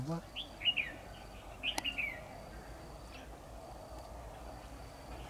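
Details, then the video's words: Competing red-whiskered bulbul decoy during trapping on 10 October 2019; two short groups of bright, chirpy warbled notes about a second apart, then quiet background with a faint click. "Bẫy chào mào Xòe xoẹt"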